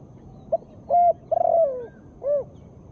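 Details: Calling female spotted dove, meant to prompt quiet birds to respond. One full phrase: a tiny opening note, a flat loud coo, a long stuttered coo drifting downward, then a softer arched coo to close.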